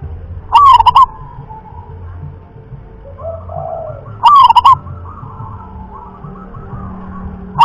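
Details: Rhythm-class local zebra dove cooing: a short rolling phrase repeated about every three and a half seconds, with a third phrase starting at the end, over faint background noise.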